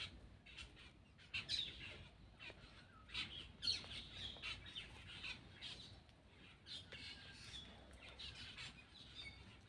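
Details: Black-winged myna feeding delivers a long, high chattering run of scratchy, squeaky notes and short buzzes, uneven in rhythm, with light rustling.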